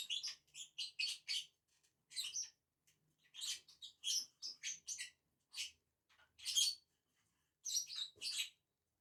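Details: Two lovebirds feeding together on a tree branch give harsh, high chirps in short bursts of two to four, with brief silent pauses between groups and no other sounds.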